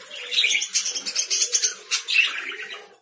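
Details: Rapid run of sharp, high-pitched lovebird chirps, overlapping and almost continuous for three seconds, with a few louder squeaky notes.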